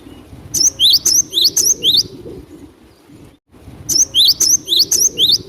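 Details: Cinereous tit (glatik batu) in lively full song, used as a lure for trapping: two bursts of rapid, high, sharp whistled notes repeated about four times a second, separated by a short pause, over a low background rumble.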